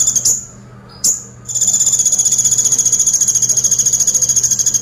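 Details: Sunbird singing in the 'tembakan pelatuk' (woodpecker-shot) style: two short sharp high notes, then a sustained rapid machine-gun trill of thin, evenly spaced pulses that carries on for over three seconds above a quiet background hum.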